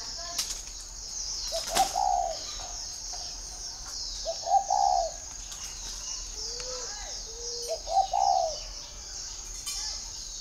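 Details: Spotted dove kept at a breeding garden in Ba Vì, Hanoi, Vietnam: mellow hooting coo phrases about every two to three seconds, with a faint wing flutter and a constant thin high whine behind.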